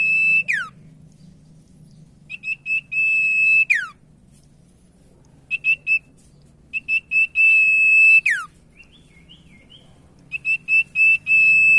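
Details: Common iora song played as a lure so that stalled ioras start singing. Clear high whistles: several short notes, then a drawn-out even tone that drops steeply at the end. Phrases repeat several times.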